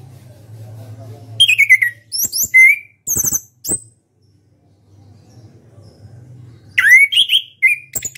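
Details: Caged orange-headed thrush, a national contest champion, sings in the ngeplong style: loud, sweeping whistled phrases that slide down and then up, mixed with sharp clicking notes, in two bursts separated by a quiet pause over a low steady hum.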